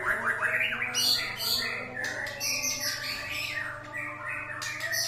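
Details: Song of a white-rumped shama meant to rouse other birds; mix of rough chattering bursts and clear whistled phrases, fast and irregular, with a constant low hum behind.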